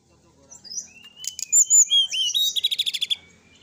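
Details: Sooty-headed bulbul in full, energetic song for training, night recording: short clear whistles and chirps followed by a quick run of repeated sharp notes.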